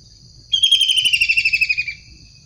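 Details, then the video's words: Wild long-tailed shrike, calling energetically: one loud, buzzy, rattled trill that slides gently downward and lasts about one and a half seconds, with low background rumble. "Tengkek udang gacor asli alam liar"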